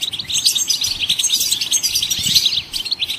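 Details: Loud goldfinch twittering that encourages other songbirds to sing: a rapid torrent of bright chirps and thin high buzzes, pausing briefly before a final burst.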